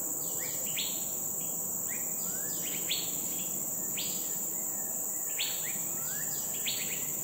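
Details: Green-backed Flycatcher, a migrant roosting in Dairy Farm Nature Reserve, Singapore, giving a loose series of sharp rising sweeps and short clipped chirps, several per second in bursts, over a constant high insect drone.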